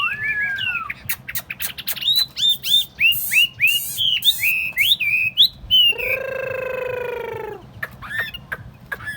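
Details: Tame caged Chinese hwamei, hand-carried and set on a table, singing clear whistled phrases that slur up and down, then a long low buzzy harmonic note before a few scattered chirps.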